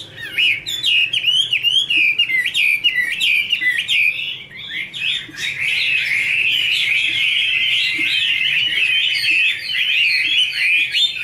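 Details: Chinese hwamei female singing, a male heard behind: long run of varied whistled and slurred phrases for about five seconds, then a dense, continuous tumbling warble of overlapping notes to the end.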